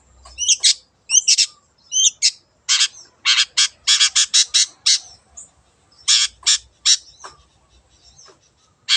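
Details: Wild long-tailed shrike singing energetically as a lure: rapid series of sharp, varied chattering notes and harsh rasps in bursts, some short whistled slurs, with brief pauses.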